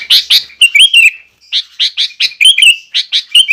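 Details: Sooty-headed bulbul giving lively lure song to stir other bulbuls: two strong opening chirps, a warbled whistle phrase, a short pause, then fresh rapid chirps and whistles.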